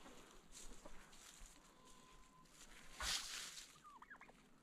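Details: Turkeys sounding the alarm on hearing noises in the forest, alongside a dog: a sudden, harsh, rattling gobble-like burst midway, then a few short rising notes, over a steady background hiss.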